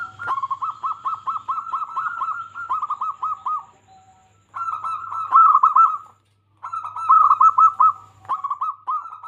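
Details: Lively local zebra dove song intended to make other zebra doves sing: three long bouts of rapid, rolling coos with short gaps, loudest in the middle bout, and faint low hum underneath.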